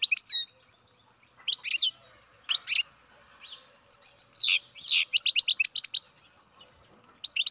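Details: Baby European goldfinch from a breeding cage chirping in short, spaced clusters of high notes, then a denser flurry of rapid sweeping chirps toward the end.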